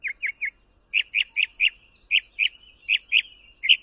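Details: A mockingbird delivers three quick chirps, then a string of rich warbled notes repeated about every quarter second, interspersed with thin sustained tones.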